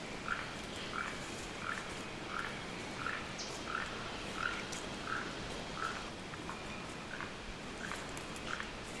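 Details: Keel-billed toucan in the Maya forest around the pyramids of Calakmul, Mexico: a dry, frog-like croak repeated steadily about every 0.7 seconds, over a constant hiss of forest background.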